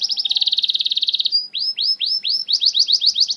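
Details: Canary singing in the rapid 'nembak' style, used as a lure to prompt reluctant canaries to sing: a fast, even, high trill of buzzy notes, then a series of loud, sweeping, downslurred whistles repeated about three times a second.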